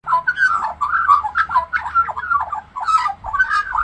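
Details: Australian magpie, a talking bird, singing and mimicking other birds for an elderly woman indoors: continuous warbling, gurgling phrases with rapid fluttering notes and quick pitch jumps, no pauses, ending with a person's voice softly praising it.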